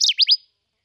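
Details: Kirtland's warbler recorded in Crawford County, Michigan: a brief fragment of song with three loud, high, sharply downslurred notes in quick succession, ending in silence.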